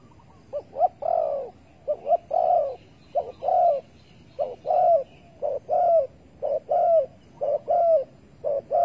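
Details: Spotted dove calling at a bird trap with bare bait, August 15, 2020: a quick, somewhat uneven series of coos, each phrase a brief stutter of notes before a longer downward-sliding hoot.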